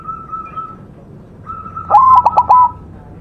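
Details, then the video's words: Zebra dove of the white form singing strongly on a training master recording. A steady whistled tone comes first, then a coo that breaks into four or five rapid, clipped staccato notes and ends on a held note. "perkutut putih masteran gacor"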